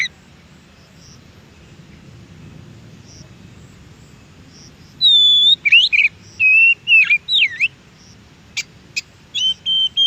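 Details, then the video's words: Oriental magpie-robin singing out in nature: silence for five seconds, then a lively run of loud, sliding whistles and warbled twists, ending with short sharp notes and a few clear whistles. "MASTERI suara KACER di ALAM"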